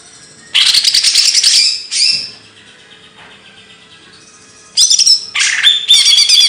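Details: Bird song of the kicau burung materi kind: a loud buzzy trill, a short squawk, a pause of a couple of seconds, then bursts of harsh chatter and high twittering.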